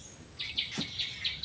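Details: A wild jungle myna, which visits a shop daily with its mate and is hand-fed chanachur by the shopkeeper, calls freely among people: short, bright chirping notes, about four or five a second, over a steady hum with one sharp knock.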